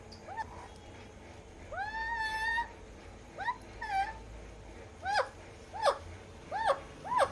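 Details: Alexandrine parakeet trying ice cream for the first time: one long, drawn-out raspy squawk, then short, sharp, down-curving screeches repeated about every second, over a quiet hum.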